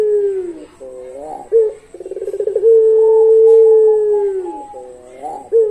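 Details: Long-voiced puter pelung dove: a low coo slides downward, then a quick stuttering roll of pulsed notes leads into a sustained, even coo of almost two seconds before the next rolling phrase begins.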